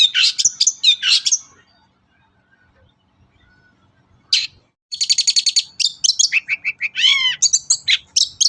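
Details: Lure song of a long-tailed shrike for prompting quiet shrikes to sing: a scratchy chattering burst, a near-silent pause, then fast rattling trills, squeaky whistles and a rising-falling warbled note.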